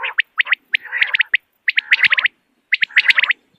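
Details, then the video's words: Common quail calling in the morning, recorded for use as a hunting lure: bursts of short, sharp chirped notes clustered in quick rhythmic runs, separated by brief silences, with a faint nasal undertone. "Morning Quail Call 2025 صوت السمان واضح للصيد Batair Ki Awaz بٹیر کا شکار"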